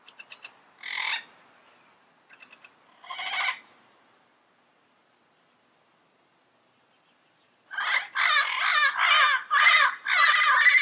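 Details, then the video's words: Wild yellow-headed parrots in their natural environment: a few short harsh squawks, then a rapid burst of loud, grating, rasping calls repeated about twice a second near the end. "Yellow-Headed Parrot Sounds - Natural Bird Calls and Songs in the Wild"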